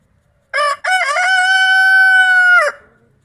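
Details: Rooster crowing in a farmyard pen shared by three creole roosters, two barred and one white. One loud crow opens with two short broken notes, then holds a long, steady, strongly harmonic tone for nearly two seconds before cutting off.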